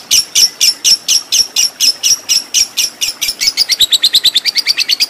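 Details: Lovebird singing in the ngekek panjang style, a long chattering song used as masteran training audio for fighter birds: sharp high chirps about four per second, then quickening into a fast, even run of clipped notes for the last two seconds.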